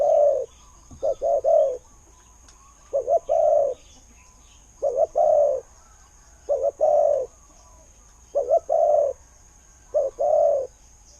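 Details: Spotted dove used as a decoy bird delivers steady low cooing phrases, a clipped double note running into a long soft coo, six times in succession over a quiet background.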